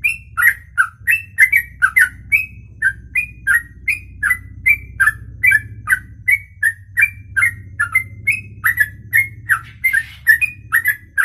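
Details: Bird singing a long ropelan song in one breath, a fast, unbroken string of short whistled chirps and slurred notes, almost three per second, with a steady low rumble in the background.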